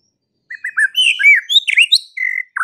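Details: White-rumped shama (murai batu) singing: after a short silence, quick clear whistled notes climb and jump in pitch, mixing slurred phrases with a brief buzzy trill near the end.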